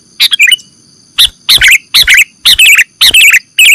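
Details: Sooty-headed bulbul lure recording for trapping: after a brief chirp and a pause, a series of rollicking three-note phrases repeats roughly twice a second, loud and bubbly, with a steady electronic whine.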